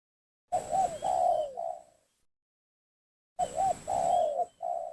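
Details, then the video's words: Spotted dove lure call to attract rivals: two phrases of mellow, wavering coos ending in a falling note, quieter and set against a steady faint high hiss and low background rumble. "suara pancingan gacor tekukur memaksa menurunkan lawan,bikin emosi lawan."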